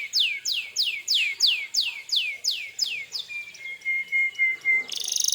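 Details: Canary in energetic song meant to make other canaries answer: a run of falling swept whistles about three per second, then a long flat whistled note, ending in a fast buzzy roll.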